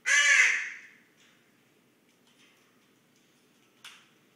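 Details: Common raven asleep and snoring, recorded up close: one loud, raspy, noisy burst at the start, then faint breathy traces and a brief soft rasp near the end.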